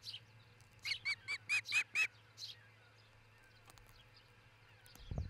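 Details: Osprey pair at their nest in Charlo, Montana, nest camera, dawn of 22 June 2018: a loud burst of six rapid ringing whistled notes rising and falling in pitch, then a fainter chirp, silence and a brief thump.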